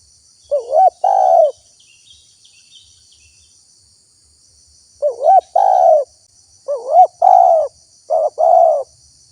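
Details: Spotted dove used as a lure for wild doves, repeated two-part coos: a short wavering rising note then a longer steady hoarse coo, three phrases separated by a pause, with steady high insect-like hiss behind.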